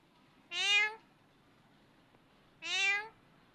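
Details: Parrot imitating a cat's meow to call the cat: two loud, matching harmonic meows about two seconds apart over a quiet background.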